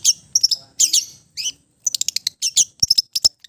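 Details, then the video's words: Long-tailed shrike of East Java in relaxed, mimicry-rich song: varied squeaky and harsh high notes in short clusters, some thin whistled pieces, and quick sharp ticks. "KICAU SANTAI CENDET JATIM GACOR FULL ISIAN"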